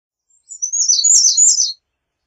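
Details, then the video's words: Loud, high-pitched American redstart song of rapid, slightly varied thin notes lasting just over a second, ending with a downslurred note, in an otherwise silent recording. "American Redstart Song! Call! Sound! Singing! - Candelita Norteña Canto - Setophaga Ruticilla"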